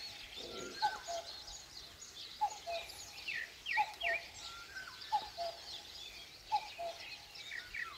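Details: At dawn in rural Korea, a common cuckoo repeats its falling two-note cu-ckoo five times at steady intervals. Higher twittering from other birds and constant ambient hiss sit behind it.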